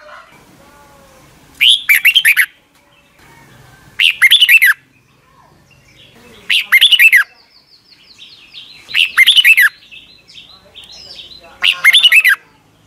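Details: Red-whiskered bulbul song, Thailand, played mornings for young caged birds to copy; five quick warbled phrases spaced about two and a half seconds apart, with a faint high whistle from another bird between them.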